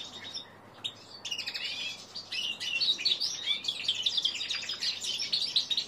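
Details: Young male common linnet x canary hybrid, three months old, learning to sing: a soft opening chirp, then a rambling, jumbled twitter of high, scratchy notes that grows fuller and continuous.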